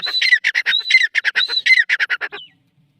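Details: Grey francolin (teetar) delivering a quick series of scratchy, rhythmic notes with three clear whistled phrases woven in, closing on a brief downward note before quiet.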